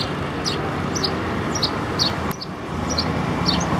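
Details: Sparrow in Nepal chirping: short, high chirps at irregular intervals, often in quick pairs, over a steady roar of road traffic.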